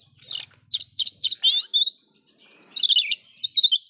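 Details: Loud song of an oriental magpie-robin, its filler phrases provoking other magpie-robins: rapid high chips, rising and wavering whistled trills and buzzy, shimmering high notes in quick succession.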